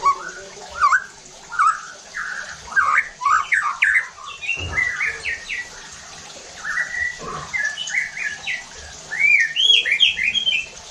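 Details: Lure song of a white-rumped shama meant to stir rival shamas to sing harshly and show their repertoire: a continuous run of rich, varied whistles, rising and falling slurs and quick trills, louder near the end.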